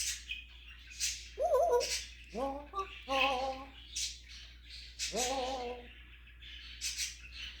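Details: African grey parrot imitating a cat, snoring, a dog and a rooster: a string of nasal, rising meow-like notes with a warbled one first, interspersed with breathy clicks and hisses.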